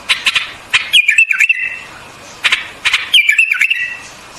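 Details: White-eared bulbul song: short bubbly warbled phrases that dip and rise around a clear whistled note, alternating with bursts of harsh chattering notes, phrases separated by brief pauses.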